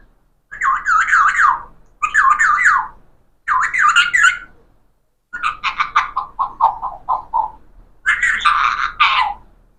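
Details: Talking parrot repeats a warbling, speech-like phrase several times, then a run of short rapid syllables and a final louder squawky phrase.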